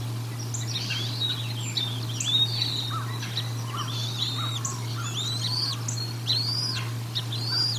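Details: Bald eagles feeding at the Decorah North nest on 1 April 2022, picked up by a nest camera: a busy run of high, arched whistled chirps, some overlapping, with a few lower notes beneath and a steady low electrical hum.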